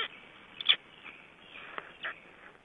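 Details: Black stork chicks calling from inside their eggs: brief, scratchy squeaks scattered through the clip, with a sharper burst early on and another toward the end, over a soft steady hiss.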